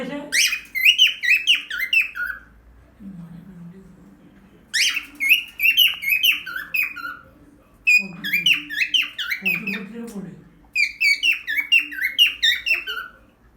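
A cockatiel sings in bursts of bright, warbling whistles with quick rising and falling notes.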